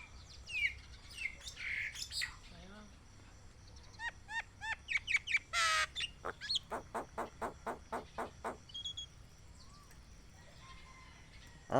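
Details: Pet talking Javan myna named as a talking bird, calling out as the owner says it seeks a mate: squeaky whistles, chirps and a harsh rasp, then about ten sharp repeated notes before going quiet.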